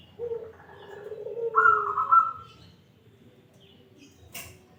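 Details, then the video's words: Local wild-type zebra dove in a clear 'crystal' voice: soft low cooing notes lead into a bright, bubbling trilled phrase that rises and holds, followed by quiet and a single sharp click near the end. "Perkutut lokal alam suara kristal"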